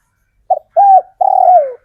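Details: Caged local male spotted dove, wild-caught, calling to draw females: one clean phrase of a short soft note, a level sustained coo, then a longer coo that slides down at the end, in a quiet room.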